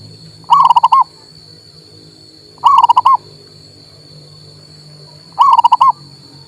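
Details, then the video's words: Male local zebra dove song for stimulating a silent bird to sing: three separate phrases of five or six fast, bouncing coo notes, spaced about two to three seconds apart, with a constant high-pitched tone in the background. "MERANGSANG PERKUTUT MOGOK BUNYI"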